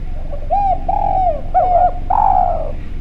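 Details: Actively calling, clear-voiced Javanese spotted dove whose call serves as a lure for other doves: mellow drawn-out coos, a quick hooked pair, then a long descending closing coo.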